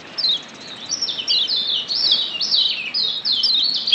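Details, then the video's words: Lombok yellow white-eye in the wild, offered as a lure to make birds call actively; a steady string of high, sliding chirps, closely spaced and evenly loud over a soft hiss. "Ciak Joss Kecial Kuning ALAM LIAR‼️PERANGSANG Ampuh Bikin Kecial AKTIF BUNYI‼️"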